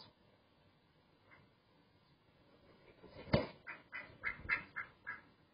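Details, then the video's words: Duck quacking: quiet start, then a loud harsh quack at about three seconds followed by a run of six or seven shorter nasal quacks in quick, uneven succession. "Relaxing Duck Sound"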